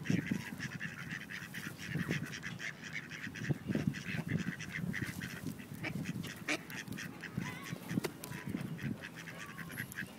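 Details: Group of rejected drakes forcing mating on a female duck in Wilmington, NC; dense, overlapping raspy quacks and honk-like calls pulse steadily throughout, with heavy low splashing and scuffling.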